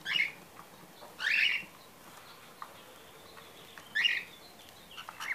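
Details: Pet male cockatiel, kept with five others, giving bright, slightly harsh chirps spaced a few seconds apart.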